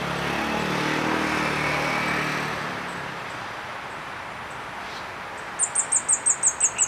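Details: Orange-bellied Flowerpecker in Malaysia, lingering in a tree eating fruit, resting and occasionally calling, gives a quick run of about eight very high, thin ticking notes near the end, after a passing vehicle rumbles through.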